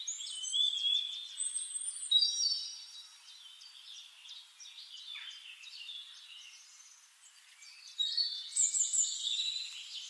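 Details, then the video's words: Flame-faced tanager chattering in bursts of rapid, high-pitched chips and thin whistles, a loud spell early on, a quieter stretch, then another lively squeaky outburst near the end. "Flame Faced Tanager Bird"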